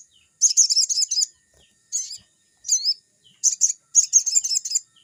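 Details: Crimson sunbird, locally sogon, singing actively as in the forest, a lure for newly kept birds; dense high-pitched chattering bursts alternate with brief squeaky notes and short pauses.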